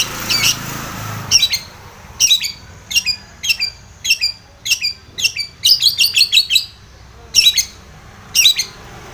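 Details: Long-tailed shrike used to provoke a rival, giving loud, harsh high chirps in regular pairs and short rapid clusters, after a brief rushing noise at the start.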